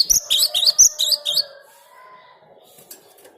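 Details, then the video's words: Cinereous tit song, presented as a lure for catching birds: six quick high chirping notes in a rapid burst lasting about a second and a half, followed by faint background murmur and a soft low hum. "Suara Gelatik Batu ini Ampuh buat Pikat"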